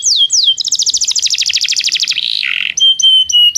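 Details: Belgian canary singing, used as training song for canaries that do not sing: two descending whistled sweeps, then a rapid buzzy trill of repeated notes, lower rattling phrases, and closing pure sustained whistles.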